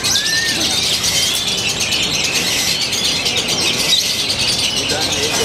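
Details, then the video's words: Lovebird from Purwakarta, Indonesia, a competition bird singing in a new, quirky style with ever tighter pauses: a continuous, dense, high, scratchy chatter, with a brief sliding whistle near the start. A busy, noisy background runs throughout. "Gaya Baru Nyentrik, Jeda Makin Fantastik !!!"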